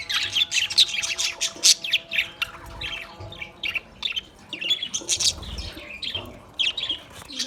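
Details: Australian parrot calls as a busy stream of high, clipped chirps and tweets, loud clusters alternating with brief quieter gaps, plus a faint low rumble.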